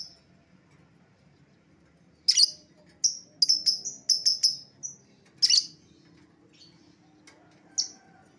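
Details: Lovebird calls used as a lure to recall an escaped lovebird: a run of about ten sharp, shrill chirps in irregular bursts, some closely doubled, with short pauses and a final lone chirp.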